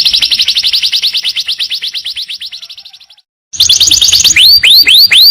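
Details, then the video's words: Canary training song featuring a long "tenbakan" trill: rapid, evenly repeated high sweeping notes, about four per second, run for three seconds and fade. A short silence follows, then louder, looping upslurred whistles. "masteran kenari super tenbakan panjang"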